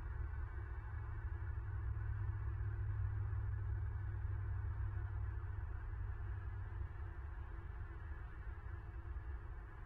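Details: A constant deep hum with faint droning overtones runs for the whole stretch, and no animal voice is heard.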